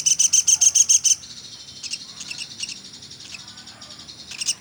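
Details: Velvet-fronted nuthatch, pelatuk sampit, calling nonstop for songbird training: a loud opening run of about eight sharp, high chips, then softer, broken twittering and a final bright burst.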